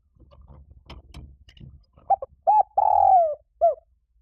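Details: Spotted dove call played as a lure to stir up birds for trapping: after a stretch of low rustling, a run of mellow, hollow coos, with a long drawn middle note that slides slightly downward, then a final short coo.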